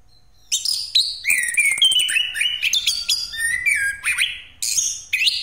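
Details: Orange-headed thrush in full rolling song, used as a lure for other birds. After a short quiet start comes a busy run of rising and falling whistles, rattles and high chattering notes, strung closely together.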